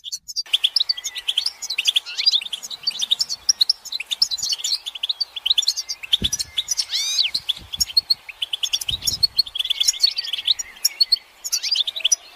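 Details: Collective twittering of European goldfinches, mating calls meant to stimulate singing. Busy, high chirping runs throughout, mixed with sweeping whistled notes and occasional soft thumps.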